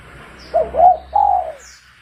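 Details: Spotted dove lure call for trapping. A single soft phrase of two quick rising coos and a longer level coo that falls at the end, over a low background hum, with a faint high chirp.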